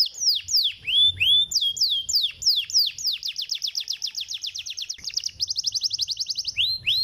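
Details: Canary song used to stimulate other canaries to sing: loud, clear notes sweeping steeply downward, repeated, then speeding into rapid rolling trills of about four notes per second before a final swept phrase.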